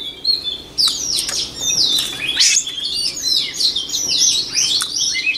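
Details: White-rumped shama singing for voice training: a long, dense stream of high whistles, trills and scratchy notes over a background hiss, with scarcely a pause.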